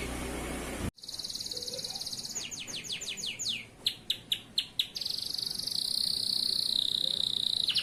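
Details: Local male canary singing continuously, a tutor song for young birds: after a brief noisy start, a fast buzzy trill leads into a series of descending whistled sweeps, short sharp notes, then a long high rapid trill.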